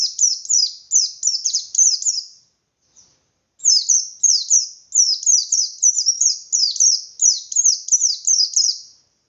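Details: White-eye pouring out ngalas-style song to trigger rival white-eyes: two extended runs of rapid, piercing downslurred notes separated by a short gap with a single faint chirp.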